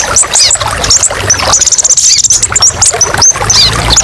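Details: Kolibri ninja, the brown-throated sunbird, in a masteran recording full of sharp song variations: high scratchy twitters and quick chirps, then a fast buzzy trill near the middle, with a faint low hum beneath.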